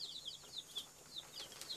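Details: Baby chicks peeping: a quick stream of short, high, thin chirps, many of them sliding downward, overlapping in a busy chatter with no other clear sounds.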